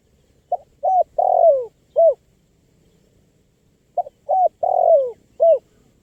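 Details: Lively spotted dove (tekukur), used to attract wild birds, delivering two identical cooing phrases of four soft notes with a longer downslurred third coo, separated by a pause of about two seconds.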